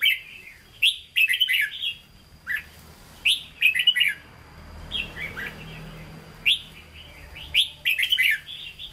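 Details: Red-whiskered bulbul, caged, singing in the Hue manner: repeated bursts of bright, tumbling chirps and slurred whistles with irregular pauses, plus sharp clicks and a thin constant high tone.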